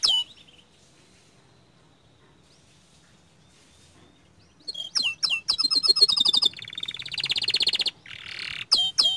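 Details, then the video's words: After several seconds of near quiet, a young canary bursts into song with loud sweeping whistles, fast rattling trills and a buzzy passage, then clipped high notes. "Kicauan Burung Kenari Muda Gacor Standart Kecil MANTAP !"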